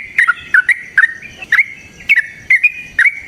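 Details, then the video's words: Yellow-vented bulbul singing a long, heated rapid song intended to provoke another bird; paired bubbly whistles with quick up-and-down flicks, roughly two phrases per second. "TRUCUKAN GACOR TARUNG ROPEL PANJANG PANCINGAN TRUCUKAN Agar Bunyi Jadikan Burung TRUCUK GACOR EMOSI"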